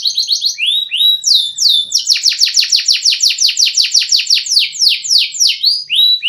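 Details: Canary delivering a luxurious master song: short high trills, then a long loud series of sharply descending swept notes repeated about three times a second.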